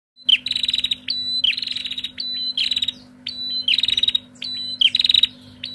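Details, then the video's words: Female bar-winged prinia calling noisily in a back-and-forth exchange: high, thin whistled notes followed by rapid buzzy chattering bursts, phrases repeating about every second, over a steady low electrical hum. "PRENJAK BETINA GACOR SAUT SAUTAN RIBUT!"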